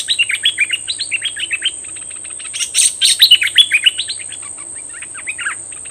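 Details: A bulbul acting as a decoy delivers a long chattering run of slurred chirps aimed at wild birds. A louder overlapping burst comes midway, then the notes fade, with a constant high whine behind.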